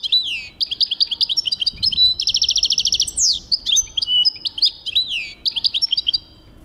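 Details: European goldfinch in full song, 2023: rapid tinkling chatter with a rattling buzzy trill midway, then downward-swept chirps and twittered phrases, bright and high throughout, ending in a short pause.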